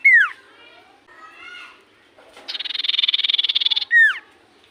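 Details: Common iora singing in full voice, a song said to draw an immediate reply from other ioras: a downslurred whistle, soft warbled notes, then a fast buzzy rattling trill of about twenty pulses, ending in another falling slur.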